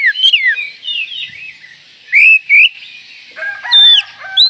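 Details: Oriental magpie-robin call used to excite other magpie-robins: fast descending whistled notes at first, then a quieter warble, followed by loud paired upslurred whistles and sharp high downsweeps.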